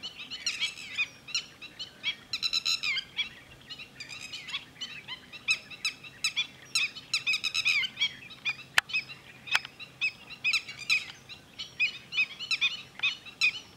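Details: Red-wattled lapwing recorded at Thol bird sanctuary: repeated shrill, clipped notes in fast clusters, continuing through the recording, with two brief clicks midway and faint low hum.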